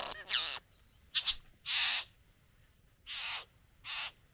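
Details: At its bower, a satin bowerbird courts a female with a few loud, harsh hissing bursts. They start with a quick scratchy flurry, then come as separate grating blasts about a second apart, with quiet pauses between.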